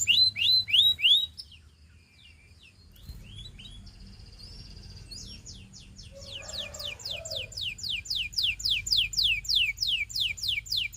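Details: Canary giving a few loud falling whistles, a quieter stretch with soft thin notes, then a steady run of quick repeated sweeping notes building in volume.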